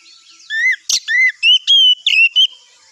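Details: Brief morning phrase from an Oriental magpie-robin, used to lure other magpie-robins into answering: a handful of long, pure whistled notes, some rising and some level, broken by a sharp harsh chip.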